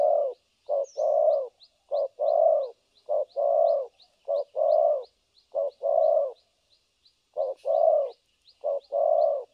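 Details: Spotted dove decoy for trapping, 3 December 2022, cooing continuously in the thổ cấn sấm nước style, with repeated short-then-long mellow coos. A steady series of thin high ticks from another bird sounds in the background.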